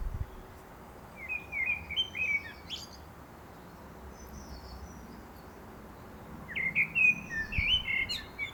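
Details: A common blackbird in a garden in Milton Keynes sings two unhurried phrases several seconds apart, each a mellow fluted warble ending in a thin, high twitter, over a soft outdoor hum.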